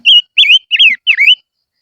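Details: Decoy-singing silver-eared mesia: four clear, slurred whistles in rapid succession, each dipping and rising, loud and close.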